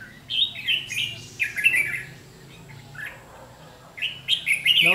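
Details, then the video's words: Red-whiskered bulbul in a decoy trap, 7 July 2016, singing its fighting 'ché' song to scold the lure bird: several rapid runs of bright warbled, slurred notes in repeated phrases, pausing, then a loud excited flurry at the end. "Bẫy đấu chim chào mào hót ché nạt mồi"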